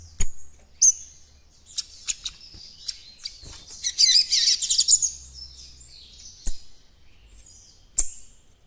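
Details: White-throated Seedeater youngster practising its encarte song with scattered sharp high chirps and one dense, scratchy twittering burst in the middle, over a faint low hum.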